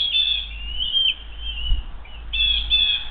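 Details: Eagle at the Hays nest during an attempted food steal between nestmates; high thin whistled chitters in two drawn-out bursts with a short pause between, over a steady low background rumble.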